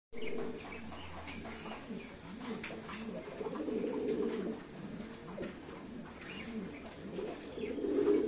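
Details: Fancy domestic pigeons coo in low, throaty, overlapping murmurs, with several birds calling at once.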